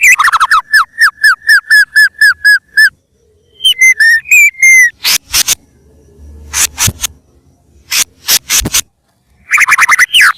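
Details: White-rumped shama recorded as a lure: a steady string of short falling whistles, a few rising whistled notes, then sharp clicking bursts and a final rapid flurry of notes.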